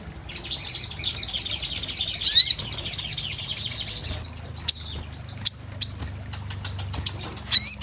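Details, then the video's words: Crimson sunbird, or sogon, in gacor mood: a soft, fast high twittering run with a few bright rising squeaks, then widely spaced single sharp chirps over quiet background hum. "Pancingan SOGON GACOR"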